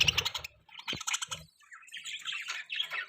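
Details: Budgies twittering with sharp chips, rapid warbled phrases and short squeaky rising notes, nearly without pause.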